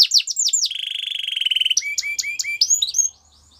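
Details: Canary singing a few swooping whistles, then a sustained lower rolling trill, then sharp clipped notes and rising slides before stopping.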